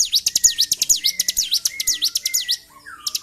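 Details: Agitated bar-winged prinia, February 2023, giving loud fast high chirps that dip and climb, about two each second. Softer lower slurred whistles sound in between and trail off at the close.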